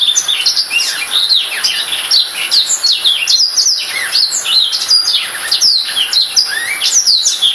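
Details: Sustained, energetic song of a Black-throated canary: dense high twittering, quick rising and falling whistles and occasional lower slurs, flowing continuously for over seven seconds.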